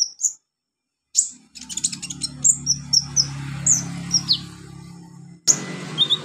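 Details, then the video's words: High, sharp olive-backed sunbird notes for training beginner birds to sing: repeated quick, thin downward-flicking chirps roughly every half second, over a continuous low droning hum. "MASTERAN KONIN/KOLIBRI NINJA buat konin pemula cepat gacor"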